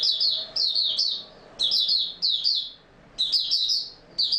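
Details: Mata Puteh, the Oriental white-eye, singing steadily, 28 February 2022: repeated high, sweet twittered phrases, each a rapid jumble of slurred notes, coming roughly every second with brief gaps.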